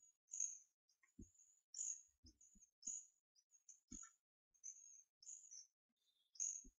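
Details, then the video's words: Captive hawfinch siblings, twelve days old, being hand-fed give loud high squeals in clusters, with softer lower chirps and occasional dull bumps from the feeding. "Hawfinch chicks handfeeding"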